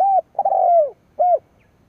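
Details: Spotted dove used as a decoy, calling to challenge rivals: a short arched coo, a long smoothly falling coo, then another short arched coo.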